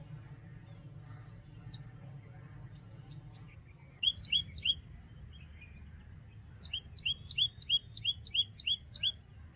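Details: Common tailorbird song: a short burst of loud, high two-part chirps, then a longer run of sharp paired notes, each pair dropping in pitch and repeated about three times a second. Faint scattered chirps come first, over a low background hum.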